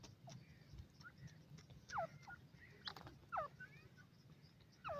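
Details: Female black francolin with chicks at play: faint, clear notes each sliding steeply downward, spaced about a second apart over a steady low rumble.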